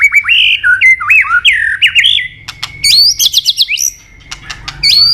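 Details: White-rumped shama, sought after by songbird keepers, pouring out fast, fluty, bouncing whistled phrases that rise and fall, followed by a sustained tone and a burst of very high rapid notes.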